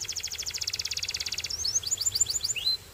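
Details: Belgian singing canary delivering a rapid, even pulsed trill for about a second and a half, then a string of separate high slurred notes that drop in pitch before stopping abruptly.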